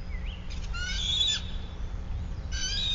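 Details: Wild bald eagle at its nest atop a sycamore about 100 feet up in Bluff City, Tennessee, in March at morning: high, squeaky chattering calls in two bursts, steady low hum throughout.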